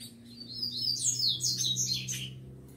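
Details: Caged rufous-collared sparrow, one of the excited males kept with females, delivering a loud high whistled phrase of sliding, descending notes with fast trilled ends, over a low electrical hum.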